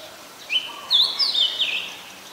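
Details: Single short phrase from an adult red-whiskered bulbul in Ubon Ratchathani, Thailand, 3 January 2021: a clear whistled, slurred warble with a rising start, in quiet surroundings.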